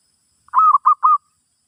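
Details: A single zebra dove phrase from a session for teaching a new bird: three clipped, mellow coos in quick succession, the first longer with a slight upward bend, against a silent background.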